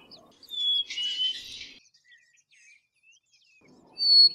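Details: Black-capped chickadee: a pure whistled note stepping lower, partly blurred by a noisy rustle, with another high whistle starting at the end.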